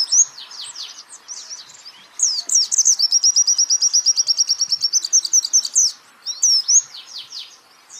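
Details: Champion white-eye song used as a training recording for songbirds: scratchy high chirps, then a long fast trill of even, high, repeated notes lasting about three seconds, ending in sweeping twittery phrases with short gaps.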